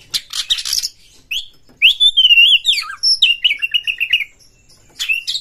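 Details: Oriental magpie-robin fast song used to rouse other magpie-robins: harsh chatter, then a long sweet warbled whistle and a rapid string of repeated clear notes before a closing buzzy burst.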